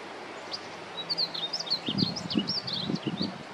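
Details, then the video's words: A juvenile Painted Bunting sings a soft, high, tumbling warble of quick slurred notes, with low rustling thumps underneath. "Juvenile Painted Bunting singing"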